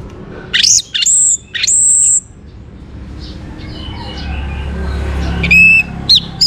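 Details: Orange-headed thrush singing to prompt other birds to join in: loud, clear, high whistled notes and upslurs in a burst, a quiet pause with faint rustling, then a few sharp ringing notes near the end.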